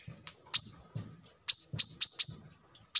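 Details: Brown-throated sunbird singing in a recording meant as a lure and training model for birds. Loud, sharp high notes come in uneven bursts, with low thumping background noises between them.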